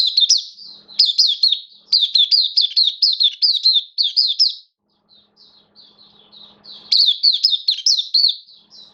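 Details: Hobby-kept mata puteh (oriental white-eye), 11 September 2022, form dipped a little: long sustained stretches of quick, high, bouncing chirps in steady rhythm, a short pause with softer scattered notes, then the busy high twittering resumes.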